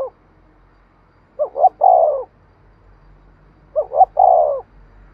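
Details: Spotted dove giving 'thúc sung' coos to stimulate decoy birds: two phrases about 2.5 seconds apart, each with two short rising notes and a long descending coo, over a low rumbling background.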